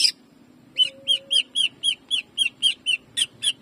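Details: Greater green leafbird in rapid jamtrok song, a training master meant to fire up other birds: a steady volley of bright, slightly down-slurred chips about four per second, one brief steady whistle under the opening notes.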